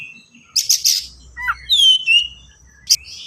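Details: Singing kacer (Oriental magpie-robin), a fast, dense master song for teaching young birds: a buzzy chattering burst, a low slurred note, then a bright falling whistle and a final sharp chip.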